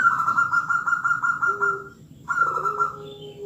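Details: Local zebra dove in full voice, used as a lure recording to prompt other birds to answer: a fast run of blurred cooing notes, then a short pause and another phrase, with a softer lower tone underneath.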